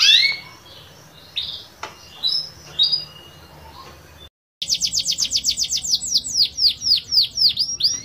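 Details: Canary in the gacor singing style with cengkok variations, giving a few scattered high chirps, a brief break, then a rapid run of repeated high, sharply descending notes in a steady rolling trill.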